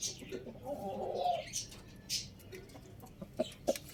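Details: Rooster crowing in the morning: one drawn-out, harmonic crow sustained for nearly a second, followed by scattered short clicks, sharp high chirps from other birds and faint background noise.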